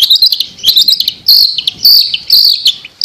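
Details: Long-tailed shrike chirping in a master bird recording: fast, varied high chirps and twittering phrases in continuous bursts, some notes sliding, irregular rhythm with brief gaps.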